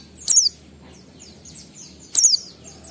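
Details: Oriental white-eye ngalas song, a lure for captive birds; two short clusters of high, piercing, falling whistle notes nearly two seconds apart, with faint thin chatter between.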